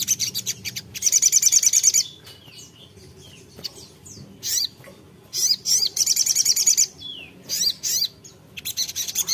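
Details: Brown-throated sunbird (sogok ontong) in full song calling a rival: high, bright chirped phrases and fast sparkling trills in bursts, broken by short pauses with soft scattered notes.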